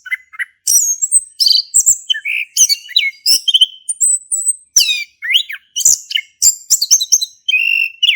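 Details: Continuous varied singing from a male orange-headed thrush, used as a lure to get a silent thrush singing: mimicking-style mix of whistles, descending slurs, chips and buzzy notes delivered in quick, energetic phrases.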